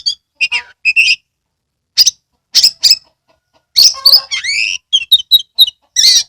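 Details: Caged Oriental magpie-robin's lure song for lazy kacer to sing and spread their tails: loud squeaky bursts, rapid whistled chirps, and a drawn-out buzzy rising phrase mid-clip, without other sounds.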